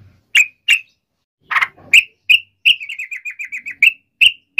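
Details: Sooty-headed bulbul sounds used to prompt other bulbuls to sing: sharp separate chirps, one harsher buzzy note, and a quick descending trill of small chirps, all crisp and high.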